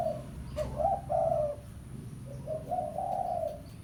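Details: Pesom-type spotted dove calling a rival as a lure: two mellow coo phrases, a brief lead-in note followed by longer warbling hoots, with a pause between, against a low continuous hum.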